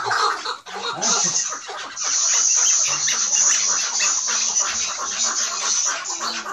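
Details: Chukar partridge at Mazıdağı, Mardin, recorded in 2018, giving rapid, clucking chuck notes in a dense, continuous run over a steady high hiss.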